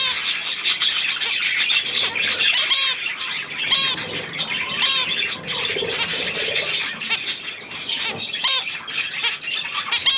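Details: Young budgerigars with adults around millet on 3 May 2024, giving busy overlapping twitters and squawky chirps, with bright looping calls repeated roughly every second over a constant background hiss.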